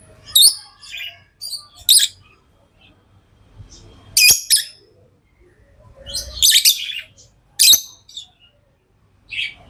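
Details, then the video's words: Tamed lovebirds utter sparse sharp chirps and short harsh chatter bursts, spaced a second or two apart, over faint low background noise. "Love birds Sounds | lovebirds chirping sounds| parrot beautiful sounds"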